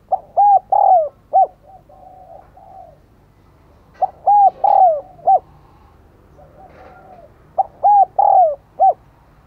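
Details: Luring call of a decoy spotted dove: three repeated four-part coo phrases, short note, two sustained coos with a downward glide, clipped ending, separated by faint low murmuring coos.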